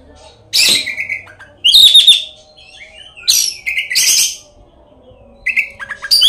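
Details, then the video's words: Oriental magpie-robin lure song, heavily filled with mimicked phrases (isian), played to stir other magpie-robins into singing. Separate loud phrases, each a sharp buzzy note dropping into a clearer lower whistle, with quiet gaps between. "kacer gacor full isian kacer gacor buka ekor pancingan kacer"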